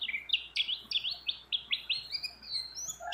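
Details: Female white-eye calling a male, in breeding condition and mixed with many other birds; a quick series of sharp downward-sweeping chirps, roughly four per second, ending in thin drawn-out whistles.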